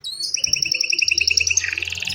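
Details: Pet canary in full continuous song, kept as a tutor for young canaries and to spur silent ones: a fast, even trill of bright pulses that drops into a lower, buzzier roll, over a faint low hum.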